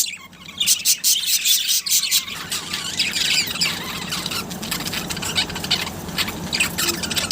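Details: Budgerigars of first-time breeders chatter in a dense stream of high, scratchy squawks and chirps.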